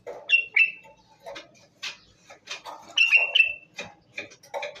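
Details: Hand-raised Moroccan common bulbul calling at close range: bright, clipped whistled notes in quick runs of two or three, mixed with harsher chattering squawks and dry ticking sounds, repeated in irregular bursts over a quiet background.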